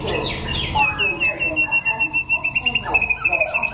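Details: White-rumped shama from Đắk Lắk, Vietnam, in a singing contest: a steady high whistle that breaks into a rapid run of repeated pulsed notes, with people talking underneath.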